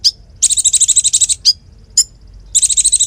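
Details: Konin in full active song, a tutor recording for other songbirds: fast, high, metallic trills broken by single sharp upslurred chips, delivered in quick bursts.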